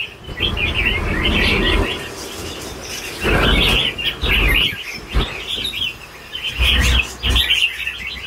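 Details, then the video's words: Red-whiskered bulbul, a mature bird, sings the super 'lân bổi' style in three clear bursts of rapid, bubbling, whistled warbles separated by short gaps, with low thumping noises in between. "CHÀO MÀO SIÊU LÂN BỔI GIÀ"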